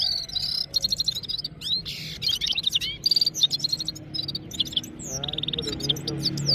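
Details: Red-fronted serins (Serinus pusillus), one bird versus five singing, give a fast, high, jingling twitter of thin rising and falling notes with scratchy trills, several birds at once, over a faint low hum.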